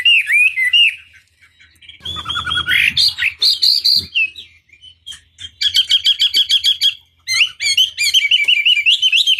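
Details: Chinese hwamei lure song to stir a rival bird. Varied whistled phrases broken by a harsh rasping burst, then fast trills of repeated short notes and rolling whistles, with brief pauses between.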